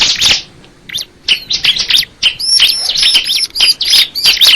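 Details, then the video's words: Bar-winged prinia song: an opening scratchy burst, a short lull, then rapid high chirps and thin sliding whistles repeated about three times a second. "the sound of the crystal ciblek bird"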